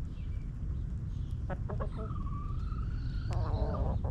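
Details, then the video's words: A backyard flock in its coop: a few short hen clucks, then a rooster's long, even crow ending in a rough, harmonic-rich flourish, all over a low continuous rumble. "Rooster Crowing! Hens Clucking!"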